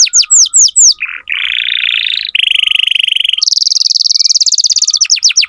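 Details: Canary song used as tutoring for young canaries: repeated falling sweeps, then successive fast trills each higher than the last, ending with more rapid sweeps.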